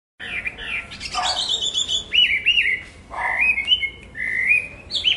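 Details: Chinese hwamei singing a varied run of loud, clear whistled phrases, some rising, some slurred and warbling, with brief pauses between bursts; faint background hiss.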